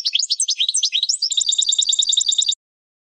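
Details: European goldfinch song for training young birds: a dense, tinkling warble that runs into a fast, even, buzzy trill before stopping abruptly.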